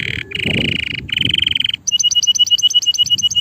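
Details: Singing male canary gives two dense, buzzy trills broken by brief pauses, then switches to a rapid series of crisp repeated two-part chirps, with faint low hum underneath.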